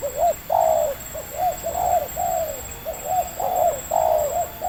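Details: Spotted dove, a wild local bird with a medium voice, calling while being lured by a trapper at Libaas, Indonesia; soft hollow coos come in rapid runs of short rounded notes and longer falling coos, almost continuous.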